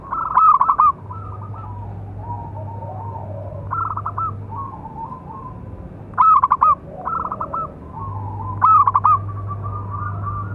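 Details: Local zebra dove, prized for its big voice, song meant to train and provoke other doves: repeated loud stuttering coos, several phrases interleaved with softer cooing and a low droning hum.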